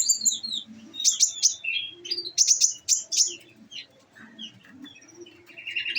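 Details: Caged olive-backed sunbird fed on nectar, singing high, sharp chirps and thin whistled notes in quick bursts, with rapid rattling volleys near the middle and a buzzy trill at the end.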